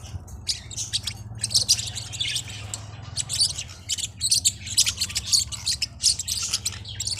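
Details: Small hook-billed Forpus parrotlets twittering in irregular bursts of thin, high chirps, busier in the second half, over a constant low humming background.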